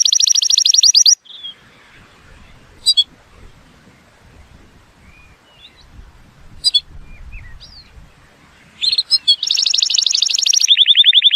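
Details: Atlantic canary opens with a high rolling trill, falls to faint sparse chirps, then resumes with loud rapid trills at two pitches; song intended to tutor young birds and get males singing.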